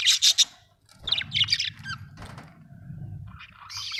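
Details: Budgerigars squawking and chirping in harsh, grating bursts, with rustling and low rumbling noise in the middle and a raspy chatter returning at the end.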